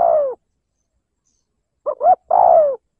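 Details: Rival-provoking spotted dove coo ('liêu lỡ' style): the tail of one falling coo, a pause, then a full phrase of two short notes and a long, downward-sliding coo, in silence.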